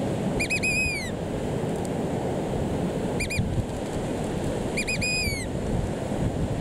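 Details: American Oystercatcher at Puerto Egas, Isla Santiago, Galápagos, January 2020, calling loudly while waiting for people to pass so it could walk back to its camouflaged eggs: three bursts of shrill clipped piping, each ending in a drawn-out falling whistle, over surf and wind.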